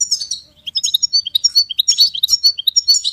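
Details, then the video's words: Goldfinch song used to motivate and train songbirds: continuous varied twitter of quick high liquid notes and short trills, bright and tinkling, with no pauses. "Goldfinch ringtones for hunting and high motivation"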